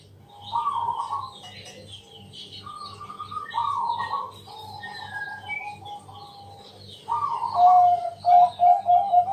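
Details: A Bangkok zebra dove, recorded at night as a lure for other doves, gives several rolling purring phrases among high chirping birds. It ends with quick, loud, evenly repeated coos over a low hum.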